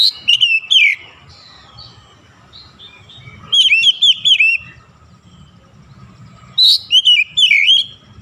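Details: Oriental magpie-robin singing in morning sun, giving three separate bouts of loud, bright whistles that slide down and up, with a quiet, low-rumbling background between them.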